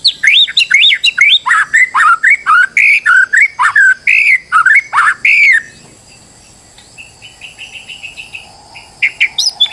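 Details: Stressed white-rumped shama lure for making another bird sing and show its repertoire: six seconds of loud, rapid, sweeping whistled notes in steady succession, then a softer, fast, even high trill and a few final sharp notes.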